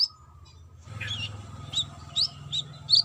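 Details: Brown-throated sunbird, female calling to a male, lively: after a hush, a lower warbled note, then a string of thin high chirps, the last ones loud and piercing, with a steady hum behind.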